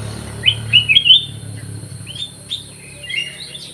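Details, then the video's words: Aviary-kept black-crested bulbul in lively song: a fast burst of clear, slurred whistles, followed after a pause by softer, scattered chirps and a short warble, with faint low background hum. "KUTILANG EMAS GACOR"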